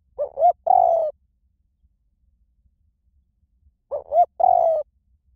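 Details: Two spotted dove phrases roughly four seconds apart, each a pair of quick rising notes and one long, evenly falling coo. The song is in the 'small voice' style and is played to lure doves into answering. Background silent.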